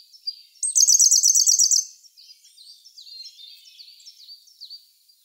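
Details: A Siberian blue robin in May 2021, filmed on a Sony A1, gives a bright, very fast, high trill of about a second after one thin lead-in note. Softer, downslurred chirps from other birds follow in the background.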